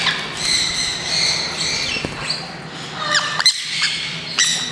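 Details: Green-cheeked parakeets freed into a walk-through aviary zone at a Kakegawa bird park in Japan; grating squawks, then short sharp chirps and a clap-like knock, steady low hum behind.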